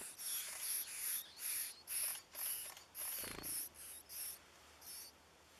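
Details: Yellowish flycatcher (Empidonax flavescens) feeding its nestlings in Costa Rica: thin, hissy, very high notes repeated about twice a second in uneven bursts, with one low thump midway.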